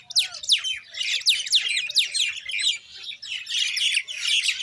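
Common myna giving a rapid run of sharp, descending chirps and harsh chattering notes, several per second, bright and high-pitched throughout.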